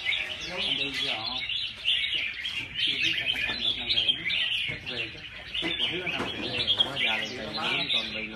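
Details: Red-whiskered bulbuls at a live bird singing competition: bright chattering phrases and quick warbled notes overlap from several birds, while men talk throughout in the background.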